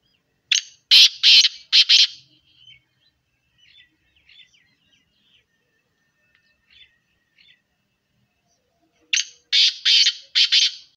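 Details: Black francolin, locally called kala teetar, giving two loud phrases of three to four harsh, rasping, grating notes, one near the start and one near the end, with faint soft chirps scattered in the quiet gap between.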